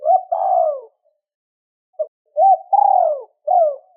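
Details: Two-ending spotted dove coo for luring wild birds: a long, hoarse, downward-sliding coo, a pause, a short click-like note, then another rising-and-falling coo sequence, all low-pitched.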